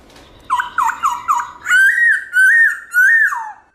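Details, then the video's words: Black-throated laughingthrush in loud wild-style song: four quick upward-flicking whistles, then three long, steady, slightly wavering whistled notes ending in a downward slur. "Khướu bạc má HÓT GIỌNG RỪNG nhiều giọng âm to rõ cực hay"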